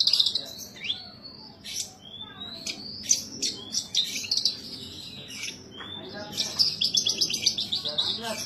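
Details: {'0': "Kept Horsfield's bush lark singing gacor: clear rising and falling whistled slurs mixed with sharp clicks, then a fast, stuttering run of high chirps near the close."}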